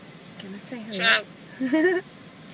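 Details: Male Eclectus parrot at a fast-food drive-thru, talking in two short, voice-like phrases with wavering, rising pitch, the second higher; he said "drive thru" and "wanna chip". Steady low traffic hum underneath.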